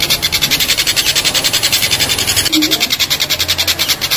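A collared kingfisher gives a fast run of harsh, high, evenly repeated notes, about three or four each second.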